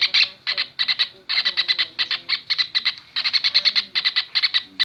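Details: Kingfisher song used as a training recording for cage birds: rapid bursts of harsh, buzzy chattering notes in runs of several, repeated almost continuously with brief pauses.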